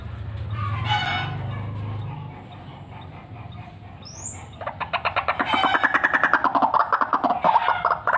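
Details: Chattering 'fighter' white-breasted waterhen prepared as a luring call: a quiet, murky opening gives way to a fast, steady burst of harsh repeated pulses that keeps going to the end.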